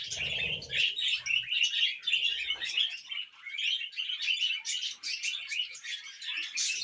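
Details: Budgies chirping and warbling nonstop, high squeaky notes repeating rapidly in an even, rippling stream, with faint low rustling at the start.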